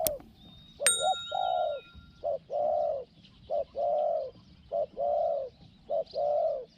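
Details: Spotted dove in Thailand, used in decoy hunting of wild doves, giving small-voiced 'hong hong' coos. Paired phrases, a short note then a longer low coo, repeat about every second over quiet background.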